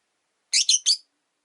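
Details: Three harsh, buzzy chirps in quick succession from caged Rosy-faced lovebirds, the original bird sharing its cage with a disliked newcomer.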